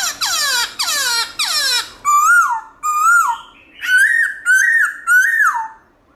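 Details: Black-throated laughingthrush, wild-style song of many voices, loud and clear, used to stimulate caged birds: three harsh falling notes, then bright whistled phrases that rise and dip, repeated about every second.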